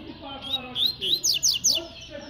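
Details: Coleiro, or double-collared seedeater, in tui-tui style song, called spirited and quick: high rising whistles followed by three sharp, fast descending notes repeated in quick succession, with faint low background sound.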